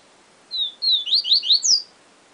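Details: High, clear song of a yellow-bellied seedeater, Siu Siu Professor style: a pair of level whistles, a quick series of four or five slurred notes, and one loud upward-sweeping final note, with a faint click near the end.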